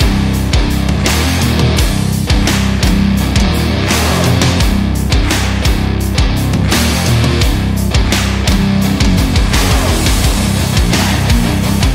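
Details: Loud, driving heavy rock music with distorted guitars and pounding drums fills the whole stretch, with no animal voice to be heard.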